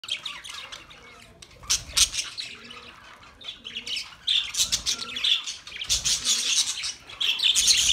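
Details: Budgerigars kept as pets, a flock chattering together: dense bursts of high, scratchy chirps and squawks, some warbled, coming in clusters with short quieter gaps.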